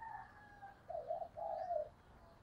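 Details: Decoy female spotted dove cooing to quickly provoke wild birds; a faint note followed by two hoarse, drawn-out coos over steady background noise.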